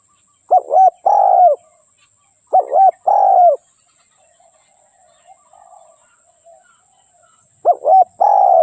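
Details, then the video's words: Spotted dove singing three hoarse phrases about two to four seconds apart, each a quick double-kinked coo run into a long, drawn-out falling coo, with a quiet background between. "เสียงนกเขาใหญ่/suara burung tekukur"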